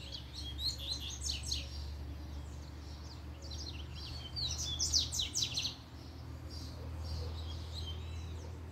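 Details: Double-collared seedeater, worked up by a female's arrival, gives bursts of rapid, sharp high chips and warbles separated by short pauses, with a constant low electrical hum underneath.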